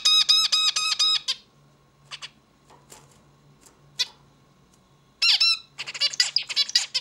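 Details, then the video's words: A zebra finch's song opens with a quick series of evenly repeated nasal, harmonic notes. Scattered soft clicks follow, then a sudden burst of buzzy, tumbling notes near the end, over a faint steady hum. "Bird sings beautifully - zebra finch"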